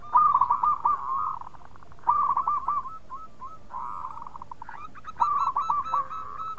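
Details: Local zebra dove giving its bekur coo, played as a lure so other perkutut answer fast. Loud bursts of rapid, rolling, slightly wavering notes repeat in three phrases separated by short pauses, over a quiet hiss.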